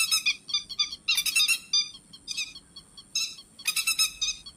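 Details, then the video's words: Grey-headed lapwing lure calls for night netting: clipped rasping notes and dense rattling bursts alternating irregularly, accompanied by a steady faint high-pitched whine. "Tiếng chim te te vàng mồi cực chuẩn mới nhật không tạp âm, Tiếng chim bẫy lưới đêm"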